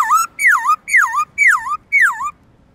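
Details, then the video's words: Black-throated laughingthrush singing forest-voice song for training captive birds: five swooping whistles, each falling and then turning up again, repeated steadily with faint background hiss. "Khướu bạc má HÓT GIỌNG RỪNG tone dài to rõ cực hay| Luyện khướu bạc má hót giọng rừng mỗi ngày"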